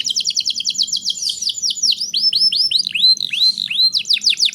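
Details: Canary in strong song for tutoring young canaries: fast trilled notes slowing into widely spaced arching whistles, then speeding up again.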